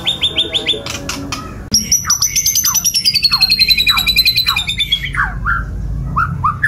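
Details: White-rumped shama delivering a high buzzy trill that slowly falls in pitch, mixed with repeated lower downward-swooping whistles, over a low background hum.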